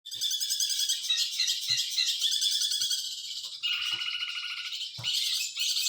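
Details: Long-tailed shrike song used for tutoring other birds: dense, rapid chattering and scratchy warbled phrases, mostly high-pitched, shifting into a lower, harsher buzzy rattle midway, with a few soft low knocks.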